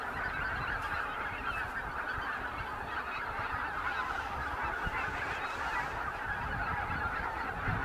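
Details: A large flock of snow geese on fields near Jasionowo, Biebrza National Park, Poland, in late March 2011, keeps up a dense, unbroken din of overlapping nasal honks and yelps, with no pause throughout.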